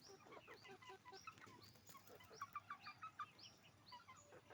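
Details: Hens and roosters making noise on a chicken farm, heard as soft quick clucks and short mid-pitched notes under many high, sliding peeps from a crowded flock.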